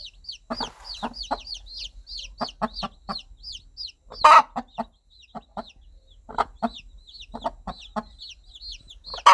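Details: Hen calling her chicks in the countryside: gentle evenly spaced clucks in short series, one loud harsh squawk, and a constant chorus of high curved chick peeps.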